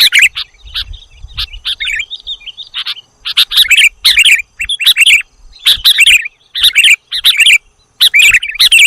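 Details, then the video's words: Sooty-headed bulbul on a bird-attracting lure track: rapid bright chirps and twittering phrases in repeated bursts, gaps of under a second between them, clean background apart from a faint early rumble. "audio pikat kutilang jawa dijamin ngumpul semua"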